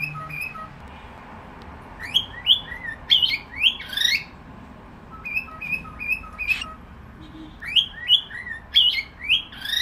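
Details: Cockatiel giving bright whistled notes that sweep upward, in short bursts of several repeated phrases separated by pauses, over a faint steady background hiss.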